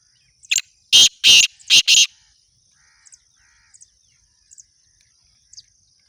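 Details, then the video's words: Black francolin giving a rasping call of four loud, coarse notes in quick succession, followed by several seconds of quiet with only faint, scattered ticks. "kala tater کالے تیتر کی خوبصورت آواز"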